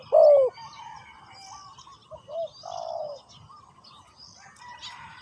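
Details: Decoy spotted dove used in ground trapping to attract wild doves: one strong, deep, hollow coo at the start, then quieter short notes and a longer mellow coo, with faint high twittering of other birds.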